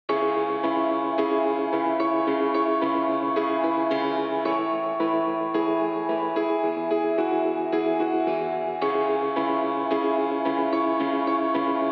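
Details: Soft ambient music with sustained, layered tones fills the whole stretch, and no animal calls can be picked out.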